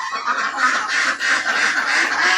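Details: Assam ducks kept in a village, calling as a group: a loud, dense wash of harsh, nasal quacks overlapping continuously with no clear gaps between individual calls.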